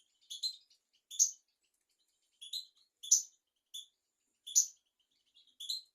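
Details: European goldfinch song used to teach young goldfinches and canaries: sparse, bright high chirps and tinkling notes spaced roughly a second apart, some paired, in a quiet background.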